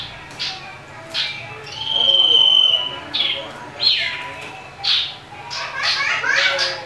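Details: Fighting-mode common iora, provoking other birds: scattered sharp chips, a sustained high whistle around two seconds, then a run of quick buzzy, twittering notes.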